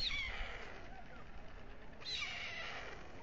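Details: Two white stork chicks fed by the male at dusk, nesting on the town hall tower in Alcalá de Henares, Spain. Faint, thin mewing calls at the start and again about two seconds later, over steady background hiss.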